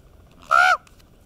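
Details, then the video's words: A common raven of a pair chatting gives one short, nasal, honking croak, steady in pitch with a slight drop at the end, in otherwise quiet surroundings. "Raven Couple Having a Domestic Chat"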